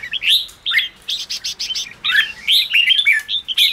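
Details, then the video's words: Red-whiskered bulbul chattering 'ché' singing meant to fire up newly caught caged birds: quick whistled slurs, a brief run of harsh rasping notes, then more bright, tumbling warbled phrases. "Kích chào mào yếu lửa/Kích chào mào bổi nhanh ra âm/kích bổi sổ bọng/chào mào ché kích bổi căng lửa"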